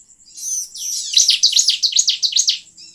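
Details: Brief bar-winged prinia lure phrase for attracting wild birds, opening with soft looping whistles and building into a rapid run of about eight sharp, high, evenly spaced chirps.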